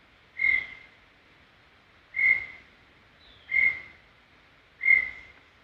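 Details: Clean whistled song of a brown tinamou from Serra do Brigadeiro State Park: four pure, level notes spaced about 1.3 seconds apart. A faint higher sliding whistle is heard in the background.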